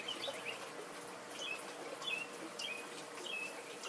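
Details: A very tiny bird perched on a fence, singing, gives brief, high chirps, each sliding slightly, about once a second over a steady background hiss.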